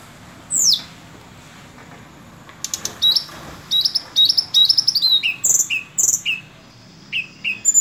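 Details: Sunda robin singing: one sweeping high whistle, then bursts of clipped, repeated chirps and a run of short notes dropping lower, lively and high.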